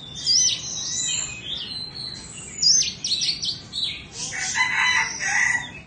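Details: Loud, varied song from a caged two-season Indonesian Oriental magpie-robin: high swooping whistles, chattering notes and scratchy phrases repeated in several separate bursts.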